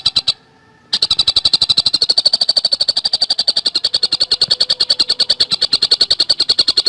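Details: Fast, tightly spaced singing of a Javan cuckooshrike, meant for training songbirds and prompting green leafbirds: brief notes, a short gap, then an unbroken, even stream of high clipped notes, roughly seven each second.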